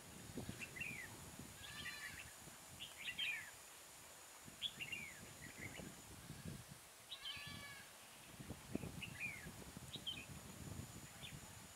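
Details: Decoy red-whiskered bulbul used to trap wild bulbuls at Chùa Hương, 24 March 2018, delivering repeated short chirpy warbles roughly every second, some with rich buzzy overtones, against rustling and low handling noise outdoors.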